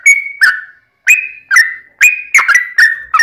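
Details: Yellow-vented bulbul fighting song used to provoke answering bulbuls: a held level whistle, a falling note, a short silence, then a quickening cluster of bright whistles that slur downward.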